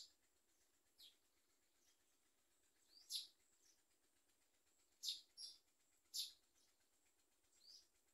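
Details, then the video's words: Common myna chicks being fed by their mother, biting at her; short high squeaky begging calls in scattered bursts, a few strong ones about a second apart, over quiet background hiss. "Common myna Baby Birds eat food and bite their mother"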